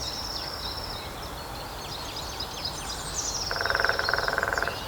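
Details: Lesser spotted woodpecker drumming on the trunk of a dead tree in Grathem, Netherlands, on 23 March 2026 at 14:00. One very fast, even roll of about a second comes after other birds' high thin notes.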